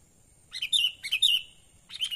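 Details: Sooty-headed bulbul natural call, used to lure wild birds: three quick bursts of bright, bubbly chirping notes, the middle two close together, over a faint steady high hiss.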